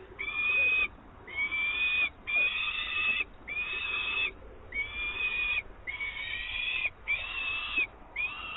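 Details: Peregrine falcon at its Włocławek nest, 24 May 2022, as an adult delivers live prey. Harsh, harmonic, level-pitched wailing calls repeat about once a second, each lasting under a second, over steady low hiss.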